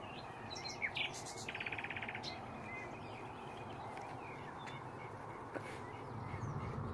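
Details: Nightingale song near hedges at Braziers Meadow, Orwell Country Park: a sharp high note, then a rapid rattling trill of fast repeated pulses, followed by sparse faint whistles against constant low rumbling noise.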